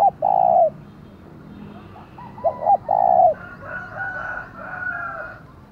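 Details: Decoy spotted dove with a 'giọng thổ' voice, calling 'thúc' to stir up wild rivals; one long coo, then a double hoot and another long coo, followed by higher whistled calls of other birds.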